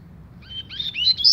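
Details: Coleira, the double-collared seedeater, in tui tui song: a thin sustained whistle followed by a rising series of bright, slurred high notes growing louder toward the end.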